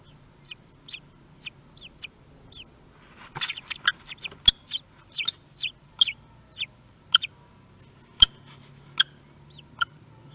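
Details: Common kestrel family at a nest webcam in Théding, recorded on 28 May 2021 as the male delivers prey; a series of short, sharp high chips repeated about every half second, with louder clicks and knocks among them.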